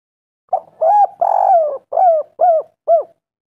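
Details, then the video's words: Spotted dove giving a lure call to attract females: six soft, low cooing notes over about two and a half seconds, the second and third drawn out and slurred, the last three shorter and evenly spaced, on a clean, silent background. "Pancingan tekukur gacor pol suara bening memanggil betina"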